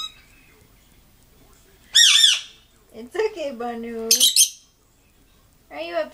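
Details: Very upset pet lovebird screeching indoors: a sharp, grating squawk, then another burst after a person talks and laughs, and a final quieter cry near the end.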